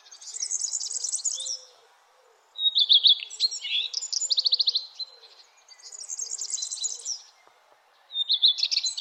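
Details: Sunrise chorus of birds in the early morning: high twittering phrases alternate with fast, rattling runs of repeated chirps, each phrase lasting one to two seconds with short gaps between them.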